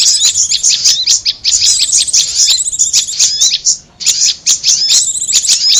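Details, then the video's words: Prinia and korlap lure sound: bursts of quick, high, scratchy chattering, broken by one short pause near the middle, then resuming. "Suara pikat korlap dan Prenjak bawah"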